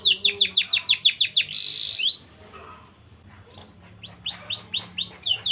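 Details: Persistent singing canary used as a lure to boost breeding drive in young canaries. Quick falling whistled notes and a short buzz are followed by a pause, then looping downward-curving whistles.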